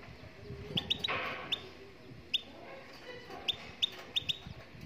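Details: A Moroccan goldfinch sings in short bursts of bright, high twittering notes, spaced irregularly across the recording, with a low rumbling background.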